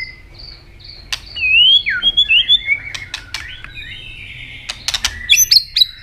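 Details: Singing robin of Asia giving sweet slurred whistles and short warbles, mixed with crisp clicks and a few high ringing notes toward the end.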